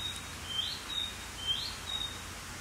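A Narcissus flycatcher sings faint, thin, pure whistles, alternating slightly in pitch about twice a second, over a soft hiss of outdoor background noise.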